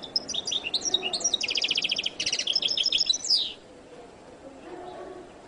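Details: Goldfinch (jilguero latino) song opening with quick high twitters, then two buzzy rattling trills and a rising slurred note, ending abruptly in near silence with faint low background noise.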